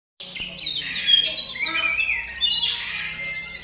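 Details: A privately kept oriental magpie-robin, locally called kacer, being tested as it sings at full voice: a dense, loud stream of high chirps, whistles and buzzy trills, with a low background hum.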